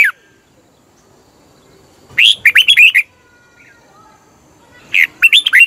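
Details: Song of a red-whiskered bulbul from Thailand, used as a decoy or to stir caged birds. Cheerful phrases of five or six quick, looping whistles come about three seconds apart, with quiet gaps between.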